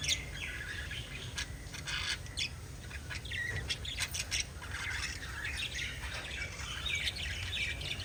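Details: Pet lovebirds chatter continuously while kissing, giving a busy stream of sharp, scratchy high chirps and short squawks over a constant low rumble in the background.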